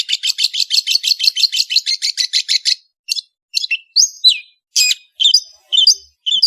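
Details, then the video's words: Cendet, the long-tailed shrike, singing hard. A quick chattering series of harsh notes is followed by separate slurred whistles that rise and fall. "BURUNG CENDET GACOR"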